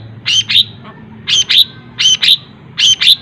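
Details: Cendet (long-tailed shrike) repeating a paired squeaky phrase, a harsh note followed by a sharp whistled chirp, about once every second, in its mimicry-filled song.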